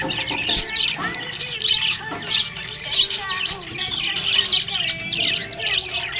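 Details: Budgerigar chattering happily, a busy stream of bright, scratchy chirps and brief squawks that rise and fall in quick clusters, while gentle background music runs underneath.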